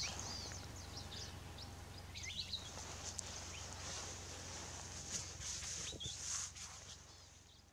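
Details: A group of palila resting in a tree on Hawaii's Big Island, 7:29 am on 20 July 2015, gives faint, high, thin chirps and short whistled notes at an irregular pace over a steady low wind rumble.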